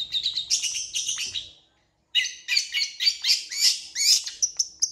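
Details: Long-tailed shrike in full song, said to answer other shrikes quickly: fast rattling series of sharp, scratchy notes, a brief pause, then a second burst of rapid chattering and harsh chips.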